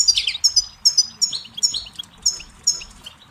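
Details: Goldfinch song, loud and close: bursts of high, tinkling twitters mixed with slurred, slightly buzzy notes, repeating in quick irregular phrases about two or three times a second.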